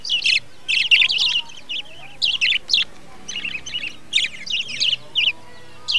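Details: Budgerigars in a breeding colony, recorded in 2020: bursts of rapid, scratchy, high chirps and warbling twitters from several birds, coming in clusters about every half second to a second with brief pauses between, over a quiet background.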